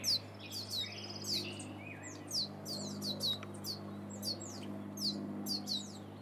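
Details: Young wild turkeys in the Sierra foothills, California, USA, giving sharp, high, downslurred peeps, repeated irregularly several times a second by multiple chicks, with a constant low background hum.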